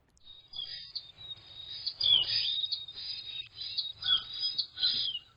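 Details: Carolina wren nestlings give a steady chorus of thin, very high, hissing seee calls, typically made when parents arrive at the nest, swelling in several overlapping bursts over faint low background noise.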